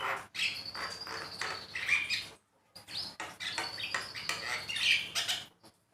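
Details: Javan myna song for training caged mynas to sing: two long bursts of noisy, rasping chatter with a thin whistled tone running through, separated by a short silence.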